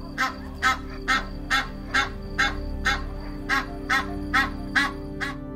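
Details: A goose honks repeatedly in a regular rhythm, roughly two harsh, nasal calls per second, with quiet instrumental music playing underneath throughout.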